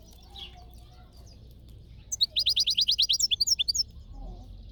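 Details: Wild setting, European goldfinch: soft scattered twitters, then a bright rapid trill of repeated high metallic notes lasting about two seconds, ending in a few looser chirps.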